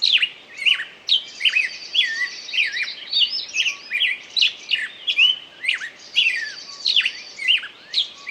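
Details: A singing bird gives lively, rhythmic chirps and swooping whistles roughly every half second to one second, over a high, steady rattling trill.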